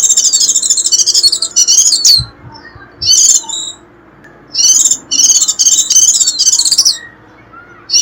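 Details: White-eye 'rít' call for luring wild birds: bursts of rapid, very high, tinkling twitters alternating with pauses, a few soft low thumps in the middle, otherwise quiet.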